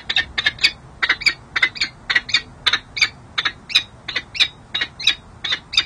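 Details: Wild peregrine falcon pair at a city hall nest ledge in San Jose, 13 January 2024, the female courting the male: harsh chupping notes repeated three to four times a second in quick doubled bursts, steady throughout.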